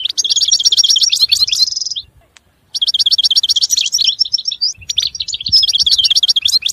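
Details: Lively European goldfinch song made of rapid, rhythmic twittering notes and a buzzy trill, with a brief pause midway before the fast chattering phrases resume.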